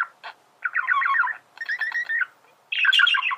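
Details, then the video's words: Buzzy, scratchy warbling phrases from a singing male budgerigar, each about half a second to a second long, with short pauses between them. "تغريد ذكر بادجي"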